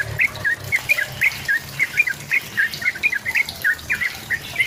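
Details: Yellow-vented bulbul (trucukan), a lively singer used as a lure to provoke a rival into singing: bright, short whistled notes repeated about once per second in an uneven, chattering series, over a low background hum.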